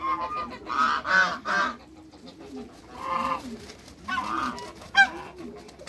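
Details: Six African and Toulouse domestic geese greeting newcomers on a farm, giving spaced bursts of nasal honks, some short and clipped, separated by quieter gaps with soft low murmuring between.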